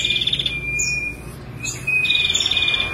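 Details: Female ashy prinia singing: fast pulsed trills broken by a short pause, with thin high chirps above and a steady whistled tone in the background.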